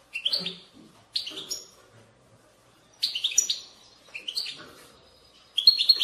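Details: European goldfinch singing bitbita, a style used to stimulate other goldfinches into song. Tinkling, twittered phrases come in four clusters, with roughly a second of quiet between them.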